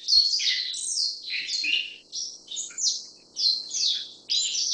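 A Black-faced Bunting gives high, thin chirping notes in quick tumbling bursts, with short pauses between phrases; nothing else stands out.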